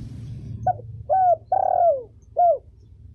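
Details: Female spotted dove calling, used for training young birds and luring: a short low coo, then a longer coo, a drawn-out descending coo and a final falling coo, all low and mellow, over faint background hum.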